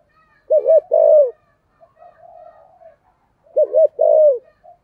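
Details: Spotted dove decoy calling in the thổ voice to lure wild birds: two low phrases three seconds apart, each a quick wavering pair of coos and a sustained falling coo, with a faint low murmur between.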